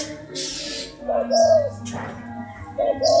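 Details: Hybrid spotted dove cooing: a low two-part phrase, a short note followed by a longer slurred one, heard twice amid a steady background hum and bursts of hiss.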